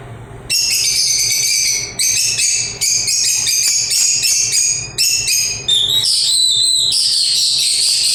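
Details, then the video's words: Continuous loud, shrill chattering from lovebirds, rapid piercing high notes in overlapping runs with brief breaks, ending in a sustained screechy stretch. "LOVE BIRDS CHIRPING SOUNDS"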